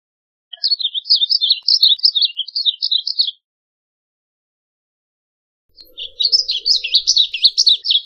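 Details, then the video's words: Two phrases of varied bunting song, each a rapid series of high, slurred chirps; a quiet gap of over two seconds lies between them, the second phrase busier and denser. "Varied Bunting Song! Varied Bunting Call, Sound, Chirp - Colorín Oscuro Canto - Passerina Versicolor"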